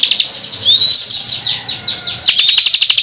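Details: Short burst of bar-winged prinia 'tembakan' song, with a rising whistled slur, a trill of descending notes, then rapid high staccato chips.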